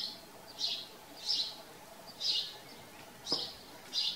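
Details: Farm-dwelling house sparrow calling with separate bright chirps, roughly one per second, slightly irregular in timing.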